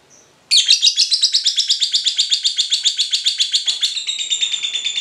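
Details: Long run of rapid, steady, piercing chirps from a Cinderella lovebird, about four notes a second after a single faint opening note, played as a trigger to set other lovebirds singing in song training.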